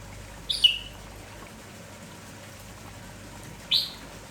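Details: Red-whiskered bulbul, the lively merbah jambul kampong, heard in the morning sounding continuously. A bubbly whistled phrase sliding downward is followed three seconds later by a second sharp phrase over faint background hiss.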